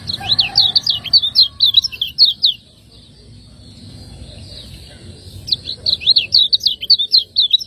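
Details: Kecial kuning, the lemon-bellied white-eye of Lombok, in 'ciak ngejos' style used to train contest birds: two high, fast chirping phrases of about two seconds each, split by a three-second pause with faint background hum.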